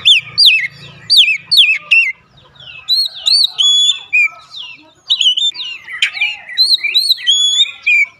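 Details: Oriental magpie-robin (kacer) singing, used as a daily lure to spur singing: rapid series of sharp descending whistles, then varied slurred and flat whistled notes, loud and continuous with short pauses.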